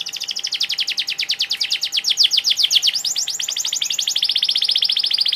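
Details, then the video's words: Canary singing an unbroken rolling trill of rapidly repeated high notes, steady and loud throughout, changing tempo slightly toward the end. "Kenari gacor"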